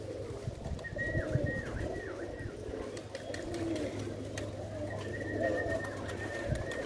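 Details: Low, rolling pigeon coos repeat under a constant hum, while a separate bird adds high, wavering whistled phrases at the start and again toward the end; small taps and rustles are scattered throughout.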